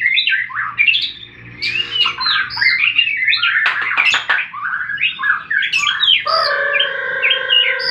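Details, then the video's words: Fighting white-rumped shama, a recording meant to provoke silent birds to sing: jumbled whistled phrases and harsh bursts, ending in a long steady, layered tone held for almost two seconds. "Murai batu tarung pancing bunyi burung macet"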